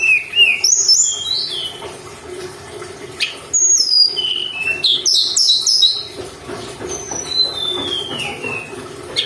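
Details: A mountain tailorbird in full, lively song, played to provoke untrained birds: piercing high whistles and short slurred notes, mostly falling in pitch, in scattered clusters with brief pauses, over a faint constant hum.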